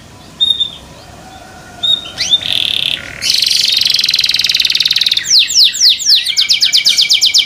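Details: Canary singing after a quiet start: a few thin whistles, a harsh buzzy rattle, then rolling trills of falling sweeps repeated several times a second.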